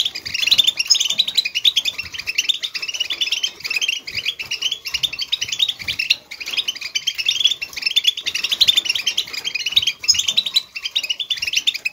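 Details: Wild European goldfinch singing in the 'batbata' style, used to stimulate other goldfinches to sing: dense, rapid high twittering and tinkling chirps pour out without pause, surging in bright bursts every few seconds for the full twelve seconds.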